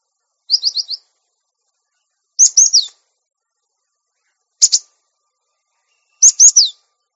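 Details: Cinereous tit on a training recording for untamed caged birds; four phrases of high repeated notes: a quick run of four down-slurred whistles, then chattering triplets and a sharp double note, in silence.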